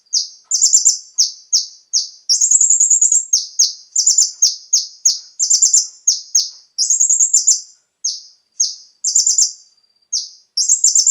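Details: Konin lure song for getting captive birds to sing: brown-throated sunbird giving rapid high downslurred chirps interleaved with short buzzy trills, phrases repeating closely throughout with small silent breaks.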